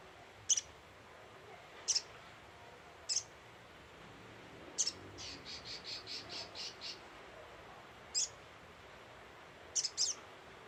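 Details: Repeated high, sharp chips from a scarlet-headed flowerpecker lure call, roughly every one to three seconds, interrupted midway by a rapid series of about eight softer evenly spaced notes from another bird.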